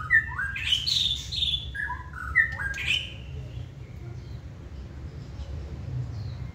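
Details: Caged White-rumped shama with a spread tail, in its second season, giving short bursts of clear whistled and slurred notes in the first three seconds, then fainter calls over a constant low hum.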